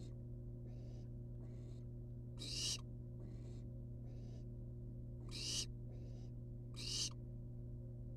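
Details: Wild barn owl nestlings perched outside their nest box make three loud rasping hisses and several fainter ones, irregularly spaced, against a steady low electrical hum.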